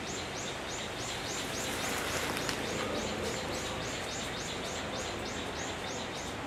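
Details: Male Japanese sparrowhawk on alert, watching its surroundings as other birds call and Azure-winged Magpies come close, filmed 12 May 2014 with a Canon XA20: a steady series of high, thin, down-curving notes, about three per second, over constant hiss.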